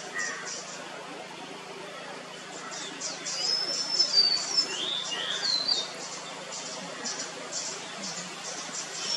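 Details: White-bellied blue robin, or Sholakili, recorded at Munnar, Kerala, India in February 2023: thin, high whistled notes and short slurred phrases in the middle stretch, fairly faint over a steady background hiss.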